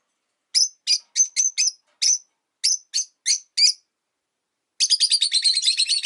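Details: A rosy-faced lovebird among five caged at a window gives ten evenly spaced shrill chirps, then after a short pause breaks into a rapid continuous chatter of many quick notes.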